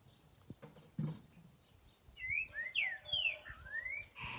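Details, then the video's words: Green-winged saltator song in which loud, slurred whistled notes, some rising and some falling, arrive in a quick irregular run during the second half, after a faint, noisy start with low thumps. "TRINCA-FERRO LINDA CANTORIA"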